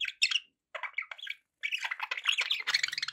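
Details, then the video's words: Pet budgerigars indoors in busy warbling chatter: quick chirps and squeaky twitters that start in short bursts and then run on almost continuously. "1 hour of budgie sounds"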